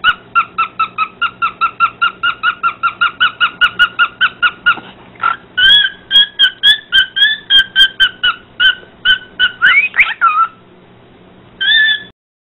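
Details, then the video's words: Pet parrot singing to a dog: a fast run of evenly repeated clipped notes, about five per second, then a varied phrase of whistled, warbling notes, a pause and one final short burst. "Parrot singing to a dog"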